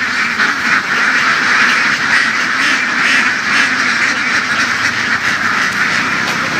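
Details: Laying ducks raised and herded across open fields in Vietnam's western region, many birds quacking at once in a thick, harsh chorus with rapid irregular nasal quacks about twice a second rising out of the din.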